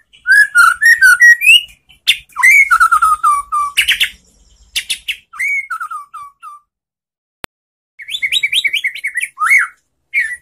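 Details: Lure song of a white-rumped shama meant to trigger replies from other shamas, likely from a kept bird: rich fluty whistles and descending note series, bursts of high sharp chirps, a quiet gap near the middle, then renewed rapid trills and whistles.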